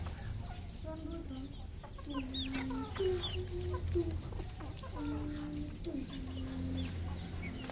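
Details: Red junglefowl on a farm in Cambodia giving repeated drawn-out, nasal clucking notes, some rising and some level, with several birds overlapping and a constant low hum beneath.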